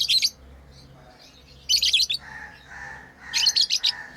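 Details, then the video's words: Playing lovebirds kept as pets chirp in shrill, scratchy bursts, with softer lower twittering calls between the loud groups. "Lovebirds playing & Chirping sounds"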